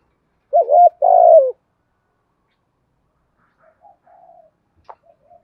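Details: Female decoy spotted dove calling wild males, Thổ style with one 'hậu' ending. One loud hoarse phrase of a wavering note and a longer rolling coo, then soft, distant answering coos in a quiet setting.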